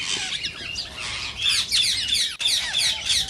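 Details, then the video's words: Rose-ringed parakeet voices, the kind said to spur mating in birds that hear them: a dense, rapid chatter of thin, harsh notes, several overlapping, softer in the first second and steady afterwards. "صوت ببغاء الدرة الخضراء"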